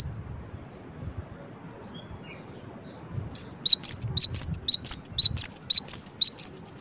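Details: After three quiet seconds with faint scattered chirps, a Cinereous tit launches a steady, rapid series of high, piercing notes alternating between two pitches.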